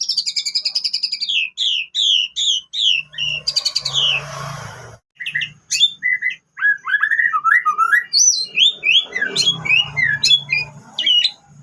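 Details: White-rumped shama song filled with canary phrases, played as a lure for other shamas: rapid repeated whistled notes sliding downward, then trills, a short harsh burst, and varied chirping phrases with a low hum beneath.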